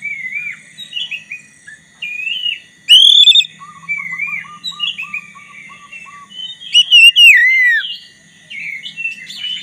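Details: Black-breasted Oriental magpie-robin singing actively, used as a lure to provoke a rival into singing: varied loud whistled phrases, slurred and sweeping, with a run of soft rapid notes and a steady faint background tone.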